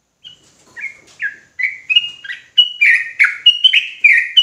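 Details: Emotional, rapid song of a sooty-headed bulbul: bubbly whistled notes that start sparse, then come thick and fast, alternating higher and lower pitches in a continuous, rollicking warble.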